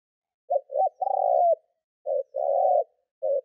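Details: Spotted dove used as a decoy, cooing to excite wild doves: low mellow phrases built from brief clipped notes and a drawn-out vibrating coo, two phrases and the start of a third.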